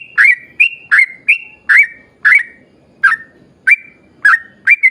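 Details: Yellow-vented bulbul singing as a lure for other bulbuls, loud whistled notes sliding down and holding steady, repeated at irregular half-second gaps with a brief pause midway.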